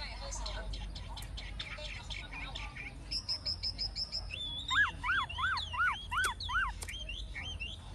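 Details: Caged old wild-caught Chinese hwamei singing in forest style, somewhat distant and soft: a series of high, thin repeated notes, then paired up-and-down whistled notes about twice a second, over a faint background hiss.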